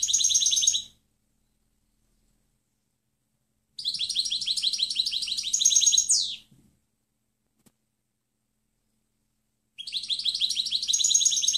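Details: European goldfinch in clean singing style used as a tutor recording: three fast, metallic twittering phrases, the middle one longest with a downward slur at its end, separated by quiet gaps.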